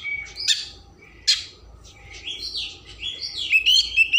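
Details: Oriental magpie-robin (kacer) in rich, varied 'isian mewah' song, played to stimulate emotion and tail opening: clear whistles, sharp notes and fluid rising and falling phrases flowing almost without pause.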